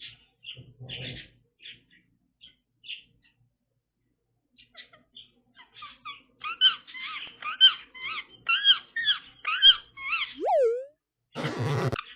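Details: Pet Indian ringneck parakeet, an Asiatic subspecies of rose-ringed parakeet (Psittacula krameri), gives a quick series of bright, chirpy notes, about one per second, with a low swooping whine and a sharp clatter near the end.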